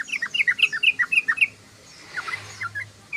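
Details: Sooty-headed bulbul in chattering ngoceh song: a quick run of short, bubbly, slurred notes for about a second and a half, then quieter scattered notes after a pause.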